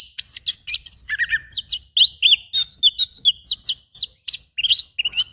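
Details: Oriental magpie-robin in a rough, rapid-fire tutor song for training birds: dense run of sharp chirps, whistled upslurs and buzzy rattles, mostly high, with brief gaps between bursts.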